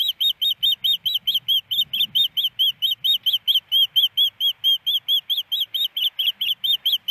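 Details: At a Hellgate Canyon nest in Missoula, Montana, a female osprey begs for fish from her non-attending mate on April 28, 2019: insistent high chirping whistles, evenly paced about twice per second throughout.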